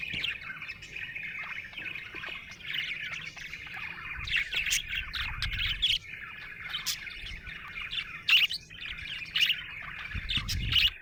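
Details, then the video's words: Happy budgerigar in a long stream of chattering warble, punctuated by bright squeaky chirps and clicks that grow more frequent toward the end, with faint low background noise. "Happy budgie chirping sound"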